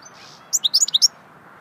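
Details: Goldfinch singing in the swittey song style: a brief, quick run of high, bright twittering notes lasting about half a second, over a soft steady background hiss.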